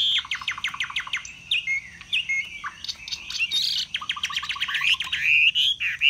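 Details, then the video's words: A displaying Chinese hwamei, noted for spreading its feathers long and showily and for singing high, gives a loud, varied song: rapid runs of repeated sharp notes mixed with rich whistled phrases, delivered almost without pause. "Họa mi xòe vip, xòe bền, hót cao cầu"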